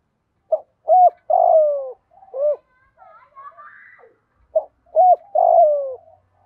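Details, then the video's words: Spotted dove call for training decoy doves: two full phrases of short hollow coos and a long falling burred coo, separated by softer faint notes. "tiếng chim cu gáy tập bổi nhanh nổi hiệu quả"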